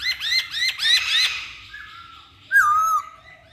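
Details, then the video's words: Masked laughingthrush song played to provoke other birds to sing: a fast burst of harsh, ringing notes rising and falling in quick succession, then a pause and a single clear slurred whistle. "Pancingan Poksay Hongkong"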